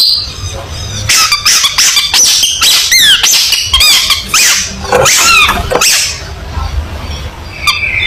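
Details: Long-tailed shrike (cendet) delivering varied squeaky song: quick falling and rising whistled slurs and thin squeals in a busy irregular run, fading into softer high notes near the end.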